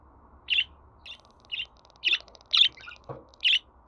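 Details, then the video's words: Budgerigar chirping, meant to be played to a pet budgie to encourage its singing: six quick, high, buzzy chirps at irregular half-second gaps with faint clicking between them, and a soft thud near the end. "Muhabbet Kuşu Sesi"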